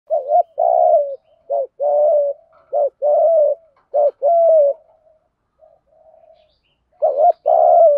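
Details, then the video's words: Decoy spotted dove cooing to stir and lure wild doves, in the 'gáy gọi một hậu' calling style: paired soft coos, each short note followed by a longer drawn-out one, repeated steadily before a quiet pause and a fresh start. "chim cu gáy mồi thúc gù kích bổi hiệu quả/ tiếng chim cu gáy bài bản gáy gọi một hậu"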